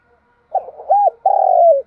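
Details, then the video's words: Spotted dove coo phrase, used to stimulate cooing: a short hoot, an arched coo, then a long, slightly rough coo that slides gently downward, in a quiet setting. "Cu gáy kích bổi nhanh nổi gù hiệu quả"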